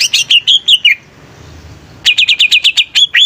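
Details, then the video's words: Greater green leafbird (cucak ijo) singing vigorously, used as a lure for songbirds: fast sweeping whistled notes falling in pitch, a second of quiet, then a rapid string of high sharp chirps repeated about five times a second. "Suara Cucak Ijo Gacor||Cocok Untuk Pancingan Burung"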